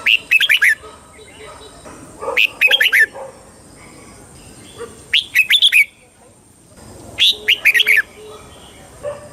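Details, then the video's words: Thai Red-whiskered bulbul singing southern master-style phrases used to rouse caged birds and train youngsters; four brisk chirpy bursts of slurred whistled notes roughly every two to three seconds, with softer lower notes between and a thin constant high tone behind. "เสียงนกกรงหัวจุก ร้อง ริก เปิดให้นกฟัง ยั่วให้นกคึกจัด"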